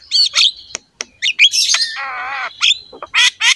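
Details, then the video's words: Black-winged myna singing, played to get pet mynas singing: harsh squawks and brief chirps, then a sustained nasal, wavering buzzy note, followed by more scratchy bursts. "KICAUAN JALAK KEBO GACOR INI PANTAS DIJADIKAN MASTERAN SEMUA JALAK"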